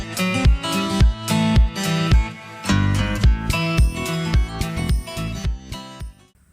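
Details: Strummed acoustic guitar plays a steady country-style rhythm with plucked bass notes, and no animal sounds are heard.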